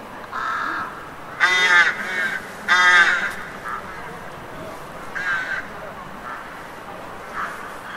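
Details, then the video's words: City street crows giving harsh, grating caws, two loud ones close together near the start, then softer, more distant caws spaced a few seconds apart, with low background street noise. "Street Crows Cawing"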